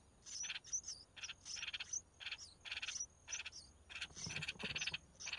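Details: Red-whiskered bulbul mother feeding her young. Harsh rasping notes come quickly one after another, several per second, topped by sharp high squeaky chirps, with a faint low thump near the end.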